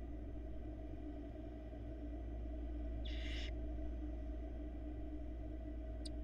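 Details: Sleeping barn owl nestlings in a Florida nest box in 2022, left alone while the mother takes a break. A single rasping, breathy hiss of about half a second over a constant deep hum, then a faint tick near the end.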